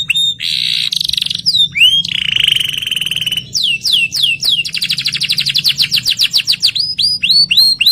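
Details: Canary song made of varied phrases: dense buzzy trills, upslurred whistled notes and rapid rolling sweeps repeated several times a second, loud and continuous, with faint low background hum.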